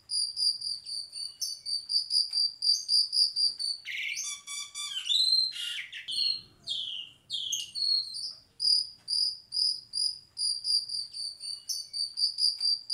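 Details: An Asian pied starling, in a recording meant as a master song for other birds to imitate, gives a burst of varied whistles and chattering notes over a steady, high, insect-like trill.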